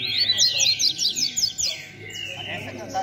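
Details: Rusty-collared seedeater in the 'beco' style, dueling with rivals: rapid cascade of high, trilled chips followed by a longer slurred whistle, with another singer audible behind.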